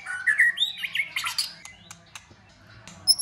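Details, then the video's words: White-rumped shama in competition singing: a burst of warbled whistles and harsh squawky notes in the first second and a half, then scattered clicks and a final high thin note. "Chòe Lửa hót căng tạch đập đuôi sổ nhiều giọng. kích chòe Lửa hót đấu. giữ lửa mùa lạnh chòe Lửa hót"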